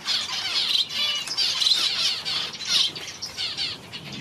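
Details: One-day-old society finch babies being hand-fed without a syringe give nearly unbroken, hissing, raspy high-pitched begging that swells and dips in loudness with brief breaks, with faint background rustling.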